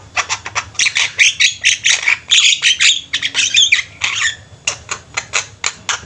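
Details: Several Javan mynas kept together as a flock, singing busily: a continuous, rapid stream of harsh, grating chatter and squawks, roughly two notes per second, overlapping voices throughout.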